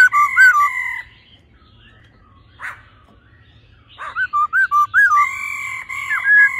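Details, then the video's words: Laughingthrush female calling and male singing in a mature wild-forest voice, the male being excited quickly: loud ringing notes, a near-silent gap with one harsh burst, then a quick string of short whistles leading into long, steady notes. "khướu mái ro +trống hót giọng già rừng"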